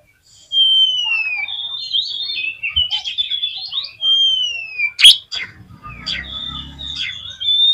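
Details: Oriental magpie-robin singing to excite other magpie-robins, with long downslurred whistles, warbled phrases and a sharp crack, plus a low background hum near the end.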